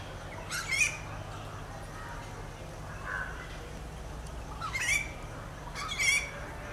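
A rufous treepie gives harsh, rising squawks in three short bursts a few seconds apart, with a softer note between them, over a steady low hum.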